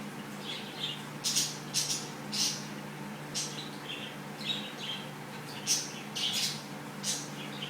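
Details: A female cockatiel getting her daily head scratch gives short, scratchy chirps and soft squawks in scattered bursts, with a faint electrical hum behind.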